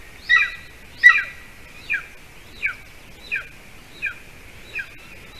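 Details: Golden eagle at a nest in Latvia filmed by camera on 06-12-20 at 8:42 p.m., as the adult male delivers a bird to the chick; repeated high yelping notes, the first two loud and the rest softer, about every 0.7 seconds.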